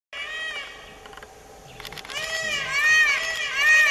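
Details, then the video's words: Indian peacock mating call: loud, nasal, cat-like wails, a long steady note then a louder rich, brassy call bending up and down. "Indian peacock mating call"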